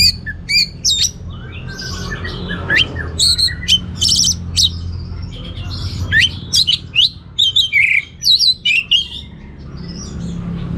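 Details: Orange-headed thrush in vigorous teler song, rich in varied material: rapid squeaky and whistled notes in irregular runs, some harsh squawky phrases, with a faint low hum behind.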